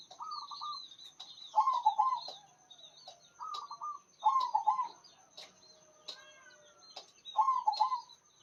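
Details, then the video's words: Local zebra dove known for a big voice repeats its low, rapid, stammering coo about five times, each phrase a quick burst of rolling notes with short pauses between, over steady high twittering from other birds. "PERKUTUT LOKAL GACOR SUARA BESAR"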